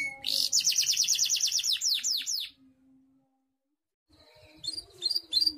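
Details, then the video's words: Canary singing (gacor), with a voice described as contest-worthy: a rapid rolling trill ending in downward sweeps, a short silence, then fainter high chirps. "KENARI GACOR"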